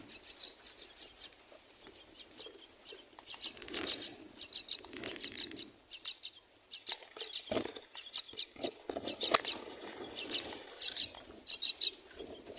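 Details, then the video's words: Four myna chicks at the nest during feeding: dense bursts of high squeaky begging notes, with rustling and fluttering noises in between. "The 4 baby myna babies are very good at feeding their mother"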